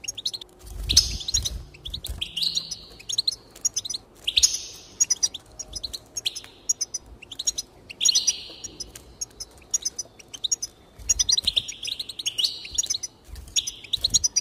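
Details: Goldfinch song for encouraging singing: repeated bursts of tinkling twitter and nasal buzzy notes, each phrase a second or two long with short pauses between, plus occasional low knocks.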